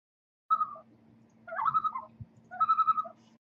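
Common Loon giving three wavering, mid-pitched phrases, the last a quick laughing series of repeated notes, over a low steady hum.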